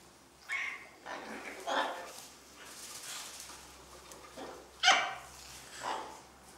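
Cockatoos give harsh, raspy screeches in uneven bursts, about seven in under seven seconds, some short and some drawn out, over a quiet background.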